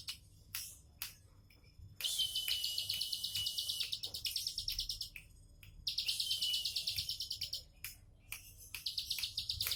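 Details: Bar-winged prinia delivering long runs of fast, high buzzy notes, each run lasting several seconds, separated by sharp isolated clicks and brief quieter gaps.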